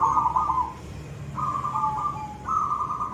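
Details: Brief koong-style phrase from a silver zebra dove: a wavering trilled coo, a pause, then a steadier held coo slipping lower and a rising final coo, over faint low hum.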